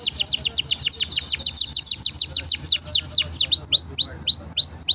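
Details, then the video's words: Green canary singing: a fast series of high sweeping chirps, about five per second, then slower, longer down-slurred whistles toward the end, with a faint low hum beneath. "Green canary bird singing"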